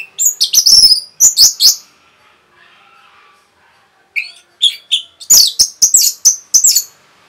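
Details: Rapid Orange-headed thrush song used to stir up other birds: clusters of loud, high whistles and buzzy slurs, fast and uneven, broken by a short quiet gap before another dense run.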